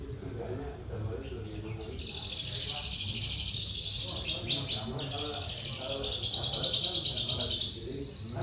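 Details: Lark delivering a gacor trotolan song: a sustained, shimmering high trill with rapid stuttering pulses midway, carried on for over six seconds, over faint talking and a steady low hum.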